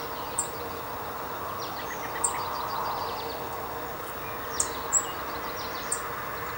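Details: Brewster's warbler (Blue-winged x Golden-winged hybrid) preening in a backyard in Swanton, Vermont, evening of July 16, 2014, giving a handful of thin, very high chips spaced irregularly over a steady outdoor hum with faint lower twitters.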